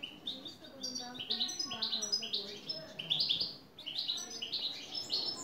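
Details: European goldfinch singing: a lively twittering run of short, high, rising chirped notes repeated rapidly, several per second, in steady bright phrases.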